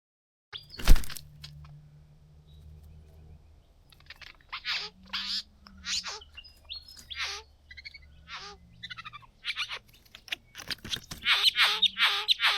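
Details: Two young bowerbirds, excited at the bower after discovering blue objects and dancing, give harsh, scratchy chattering notes in quick bursts that grow busier toward the end, after an early thump over a low hum.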